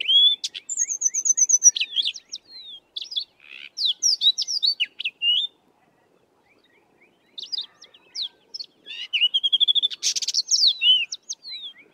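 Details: Sabota Lark in the southern Karoo delivering its long, rambling, melodious song: quick runs of high whistled and slurred notes, a clear trill near the start, pausing briefly midway before resuming with rapid varied phrases.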